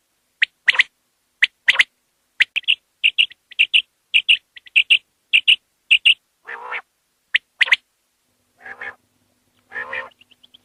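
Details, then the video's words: Common quail, linked to quail hunting, giving sharp three-note calls, one short note then a quick pair, repeated about every half second, with a few lower, rougher, buzzy notes near the end. "COMMON QUAIL Ki hawaz"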